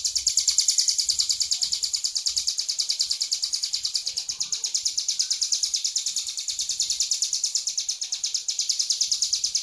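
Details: Tame hill prinia singing vigorously: a long, steady run of rapid, very high, thin ticking notes, about three per second, held without a break throughout.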